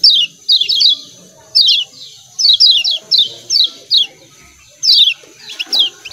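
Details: Kecial kuning, or lemon-bellied white-eye, with its 'ciak ciak' call: piercing, steeply descending chirps delivered in paired and tripled bursts, fairly steady pace, faint low murmurs and hiss underneath.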